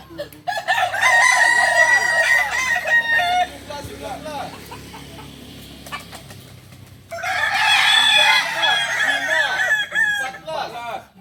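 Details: Kokok Balenggek chicken crow at a joint practice event in Solok. Two long bouts of rapid, stepped, looping syllables full of overtones are separated by a quieter middle stretch with distant crowing and background noise.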